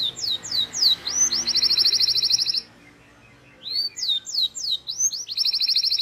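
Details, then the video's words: Canary song used to teach young canaries: a few rising chirps, then a long fast whistled rattle, a silent pause, and the same chirp-then-rattle phrase repeated over a low background hum. "PANCINGAN Kenari GACOR PANJANG Cuit Cuit EMOSI‼️ MASTERAN Kenari PAUD belajar BUNYI"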